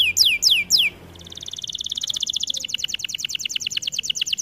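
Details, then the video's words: Singing canary for training: three loud downward-swept whistles, a short lull, then a long, rapid, pulsing high trill that drops slightly in pitch partway through. "Melodies Canary bird song | Training video"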